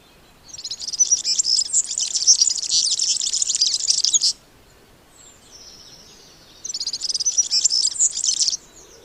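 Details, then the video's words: Two long runs of rushed, high-pitched, jingling twitter by a European Serin, the first lasting about four seconds, then a pause before a second burst of similar fast notes. "C'est un gazouillis précipité et liquide, fait de notes aiguës de tonalité élevée qui s'enchaînent souvent sans discontinuer pendant plusieurs dizaines de secondes."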